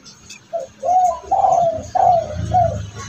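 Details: Kept spotted dove giving the sought-after tumpang sari coo, with its kuk repeated two or three times, a voice believed to bring fortune to its owner. Soft, low, hollow coos: a short lead note, then four rounded, slightly falling notes.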